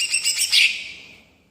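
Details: Greater green leafbird in rolling song, used to provoke other birds: a brief cluster of sharp, high chirps ending in a thin whistle that tails away.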